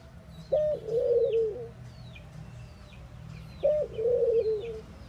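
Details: Two soft, low coos from a mourning dove about three seconds apart, each a brief upswept note followed by a wavering moan. Scattered high chirps from other birds fill the pauses.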